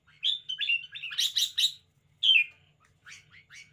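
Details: Lively caged red-whiskered bulbul singing a rapid run of chirpy warbled notes that grows louder, then one strong downslurred whistle after a pause, followed by a few soft clipped chirps.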